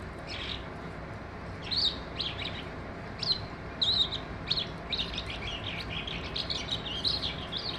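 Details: Singing skylark: scattered high chirps at first, becoming a denser run of quick twittering and trilled notes toward the end, over soft background noise.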